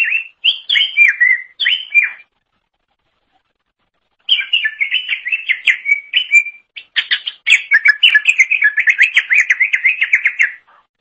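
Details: Greater green leafbird (cucak ijo) in vigorous, nonstop song used as a tutor for training songbirds: varied whistled and chattering phrases, a pause of two seconds, then fast trilled runs of rising and falling notes.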